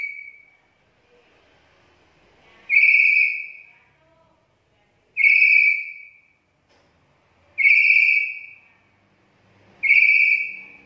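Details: Black-capped lory used as a lure and training call: five buzzy, grating screeches spaced about two and a half seconds apart, each short and steady in pitch, with faint low background murmur.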